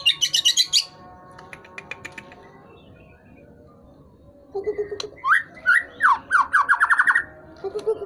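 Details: White-rumped shama, tail-flicking and singing vigorously, gives a rapid high trill, then after a pause a series of rising whistled notes and buzzy chips, with music faintly behind.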